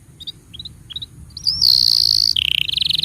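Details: Canary song to coax young and silent canaries: a few soft scattered chirps, then a loud sustained high roll, dropping into a lower pulsing trill repeated about four times a second.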